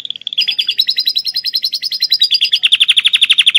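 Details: Canary from Klaten, Indonesia, singing a song filled with lovebird imitation, kept as a master recording for training other birds: a rapid, buzzy, rolling trill of evenly repeated notes that steps lower and grows louder near the end.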